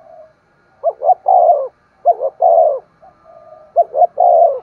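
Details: Spotted dove cooing used to stimulate other doves: three phrases, each two short low notes then a long falling coo, separated by quiet gaps with a faint soft hum.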